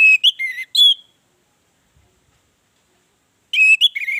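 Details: Orange-headed thrush song used as a lure to set other birds singing: bright, varied whistled phrases with quick up-and-down slurs in two bursts, a silent pause between them.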